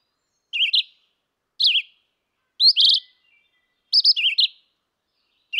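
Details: Singing red-eyed vireo giving brief, choppy warbled phrases that rise and fall, repeated roughly once a second with silent gaps between them; no other sounds.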